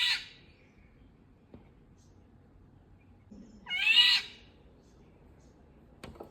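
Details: Indian golden oriole giving a harsh, nasal, drawn-out squawk in the middle, with the tail of a similar call at the start and a faint click near the end.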